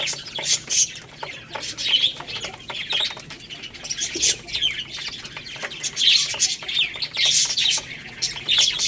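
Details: Little chicks feeding on rice give a busy chorus of thin, high peeps in irregular bursts, with quick tapping clicks between them.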